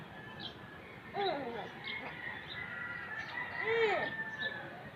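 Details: Black-naped oriole, known locally as kilyawan, giving two fluty, looping whistled phrases around 1.2 and 3.8 seconds. A steady low hum and faint high chatter run underneath.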